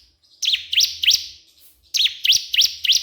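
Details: Bar-winged prinia (ciblek kristal) calling a rival. Quick, high chips sweep down then up, given in a group of three, a pause, then a steady run of five.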